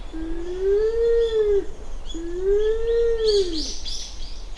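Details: Japanese wood pigeon recorded on Uwa Island, Kaminoseki, Japan, at about 7 a.m. on 29 January 2024; two long, low, moaning coos of roughly a second and a half each, gently rising then sagging, with thin small-bird chirps behind.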